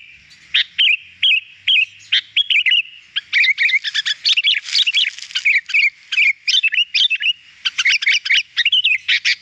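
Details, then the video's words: Sooty-headed bulbul in a tutoring recording for captive bulbuls, singing bright, bubbly slurred whistles in quick bursts that start as spaced phrases and then run into a nearly continuous chatter. "Masteran agar burung kutilang cepat gacor"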